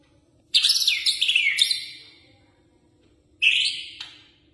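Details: Murai batu, the white-rumped shama, singing energetically: a rich, tumbling phrase of sweeping whistles and harsh chattering notes, a pause of over a second, then a shorter bright whistled phrase ending in a click.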